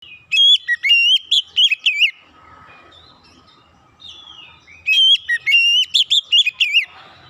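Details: Oriental magpie-robin singing loud, clear whistled phrases of rapid repeated notes, some rising and falling, in two bursts of about two seconds each separated by a quiet pause; a faint low hum underneath.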